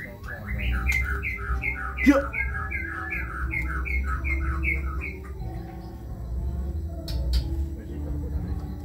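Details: Long-tailed Kebyok white-rumped shama repeating a fast series of about fifteen similar two-part chirped notes for five seconds, then quieter, over a low rumbling hum.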